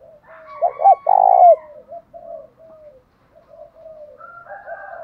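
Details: Spotted dove calls, male and female voices, used as a lure to provoke fighting: two short throaty coos, then one long burry coo, followed by soft faint calls from other birds.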